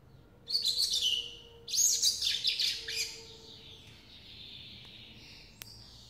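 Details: Young captive lined seedeater in brown plumage, hatched April 2018, singing rapid, scratchy high phrases in two bursts, the second longer with stuttering pulses, then fading into softer, thin trailing notes.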